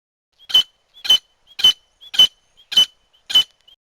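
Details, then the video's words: Grey francolin, female voice, used as a hunting lure: six short, sharp notes about every 0.57 seconds. Each is a harsh burst with a thin whistled tone riding through it, over an otherwise silent background. "Gray Francolin female voice for hunting | تیتر پکڑنے کیلیے گوری تیتری کی بہترین آواز"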